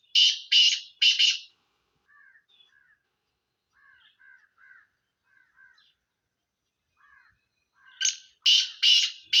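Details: Sindhi black francolin: three loud harsh notes open, then several seconds of faint soft chirping from other birds before the grating rasping series returns loudly at the end.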